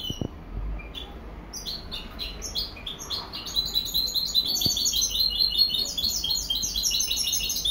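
A goldfinch hybrid sings a fast, high, tinkling twitter of chirps and trills that builds into an unbroken stream, with faint room hum and a couple of soft knocks.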